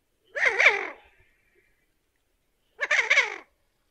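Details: Common goldeneye uttering two rasping, double-pulsed calls about two and a half seconds apart. Each call is coarse and nasal with a wavering tone, and there is silence between them.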